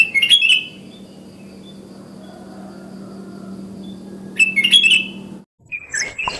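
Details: Wild sooty-headed bulbul calling at dawn to get other bulbuls calling. Quick chattering whistled phrases at the start and middle, followed by a sharper burst of notes after a brief gap.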